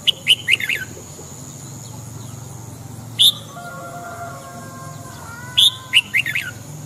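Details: Morning singing of a red-whiskered bulbul for song training: short bursts of loud, bright chirping notes at the start, near three seconds and near six seconds, with faint drawn-out tones and a constant low hum between phrases.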